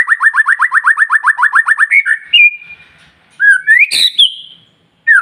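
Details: White-rumped shama singing to encourage other shamas: a rapid run of about fifteen identical downslurred whistles, then a held whistle, a rising slurred phrase with a sharp click, and another falling note.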